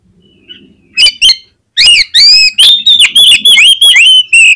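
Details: Oriental magpie-robin in full song, used to provoke other magpie-robins into singing: loud, rich whistled phrases and sharp chirps in quick succession after two opening notes, varied and strongly modulated.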